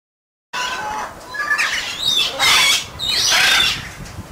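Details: Two free-flying Amazon parrots, trained for free flight, calling to keep in touch with other Amazons while crows are about; loud, ragged squawks with short tonal notes, some sliding upward, in quick irregular bursts.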